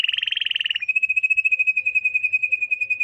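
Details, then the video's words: Malinois (Belgian) canary song: a fast buzzy trill slides into a smooth, steady rolling tour, about a dozen beats a second at a high, even pitch. "chant canaris Malinois تغريد المالنوا"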